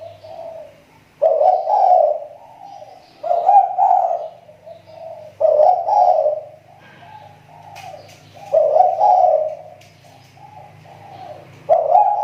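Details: Spotted dove of kepri type serving as a lure bird, voice on the mend after a drop, repeats rough, throaty coo phrases roughly every two to three seconds, with a low droning hum beneath.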